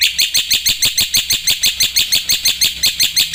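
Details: Black-winged myna singing a lively, full song, as in a recording meant for tutoring and prompting other birds: loud, high, sharp notes repeated steadily about three times a second throughout.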